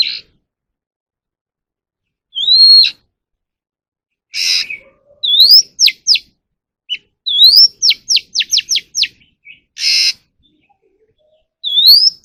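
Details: {'caption': 'Oriental magpie-robin, a captive bird used for voice training, singing clear rising whistles followed by quick descending stacked notes in rapid series, with short harsh bursts between phrases; no other sounds.'}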